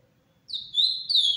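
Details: Captive ultramarine grosbeak (azulão) singing in the Paraná style: two loud whistled phrases, each a bright sustained note sliding slightly downward, the second starting higher.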